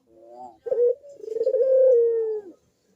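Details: Barbary dove in vigorous cooing, a lure for doves that are slow to coo: a soft lead-in note, a short clipped coo, then a long throbbing coo sliding gently downward before stopping.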